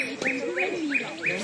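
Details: A kingfisher high overhead on a hiking trail near Wat Dipankara, Koh Samui, Thailand, on 11 February 2024, gives four sharp, rising notes, about three a second, over a man talking.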